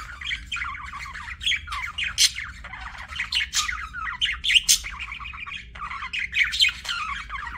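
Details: Steady budgie warble of rapid, chattering, up-and-down notes with frequent sharp chirps spiking above, nearly unbroken from start to finish.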